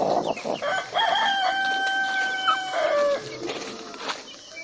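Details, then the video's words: Loud rooster crow: a brief rising opening, then a long steady harmonic note lasting about two seconds that falls at the end. Low clucks follow. "rooster sound/rooster crowing/rooster song"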